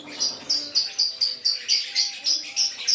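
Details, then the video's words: Aceh lovebird, gacor singing: a steady string of sharp, high chirps repeated about four times a second, each a short bright note with a scratchy edge, fairly even in spacing. "LOVEBIRD GACOR ACEH"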